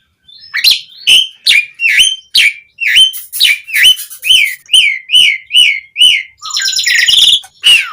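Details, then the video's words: Asian pied starling singing energetically to draw other starlings into answering: a steady series of about a dozen similar clipped whistled notes, roughly two per second, ending in a buzzy chatter. "Suara Jalak Suren Gacor Ocehan Ampuh Buat Pancingan Burung Jalak Agar Langsung Nyaut"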